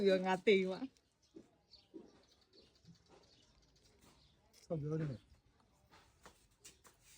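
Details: A pet common hill myna mimics human speech in two short, voice-like bursts several seconds apart, some words unintelligible, with faint quieter sounds between them.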